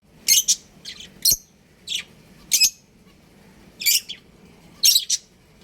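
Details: Breeding pair of pet budgerigars chirping: sharp, bright high-pitched chirps in short bursts, some doubled, roughly one burst every second, against a quiet background.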